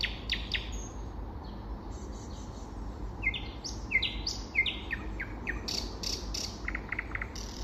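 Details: Spring singing of a common nightingale, with a series of rising whistled notes stepping upward, then short sharp clicks and higher trills, above a dull background rumble.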